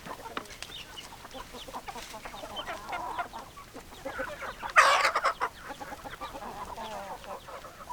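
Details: Chickens cluck in a busy flock, with many short overlapping clucks and one sudden louder squawking burst midway through.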